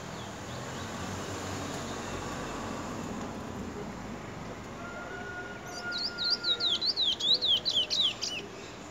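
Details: A chestnut-bellied seed finch, called Trini bullfinch, recorded in 2020, gives a loud, fast run of high, fluty warbled notes late in the clip, over a steady background hiss.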